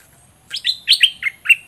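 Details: Olive-winged bulbul kept as a decoy bird in southern Thailand to lure rival birds, delivering a fierce doubled song: five quick slurred chirps, mostly falling notes, over about one second against a quiet background.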